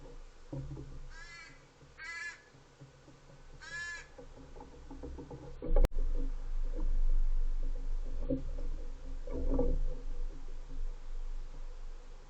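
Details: An American Crow at a backyard bird-feeder camera in Monterey County, California, on 7/23/23 gives three harsh, hoarse caws in the first four seconds, followed by steady low rumbling noise like wind or handling.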